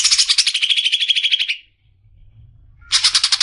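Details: Greater green leafbird, locally cucak ijo, a bird kept for training as a song-contest prospect, singing a fast rattling trill that slides slightly downward, pausing for over a second, then starting another high chattering trill.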